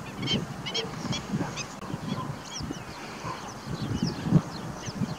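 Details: Ruddy shelduck giving low, nasal honking calls in an uneven series, with faint high chirps from other birds in the background.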